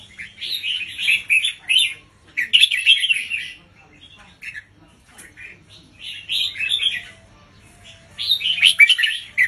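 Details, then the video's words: Red-whiskered bulbul teacher bird with slow, clearly spaced doubled song: dense bursts of chirpy whistled notes in about four separate phrases, quiet pauses between them. "สุดยอดนกครูเบิ้ลเพลง 3 อาชีพ เบิ้ลช้าๆ เบิ้ลเว้นช่องไฟชัดเจน เปิดสอนลูกนก ยั้วนกฟังนกคึก"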